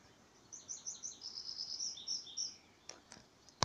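Tree pipit singing a quick run of high, thin chirps and short trills lasting about two seconds, followed by a few sharp clicks.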